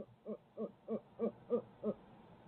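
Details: Barred owl in Midtown Tulsa, caught on a live feed camera, giving six evenly spaced, mellow hoots about a third of a second apart. The sound is fairly faint, over a quiet background.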